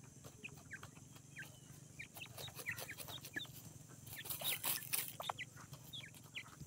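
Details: Morning peeping of francolin chicks, known locally as dakhni teetar: quick high chirps, some slurred upward, scattered densely throughout, briefly rising in volume midway, against a constant shrill hiss and low hum.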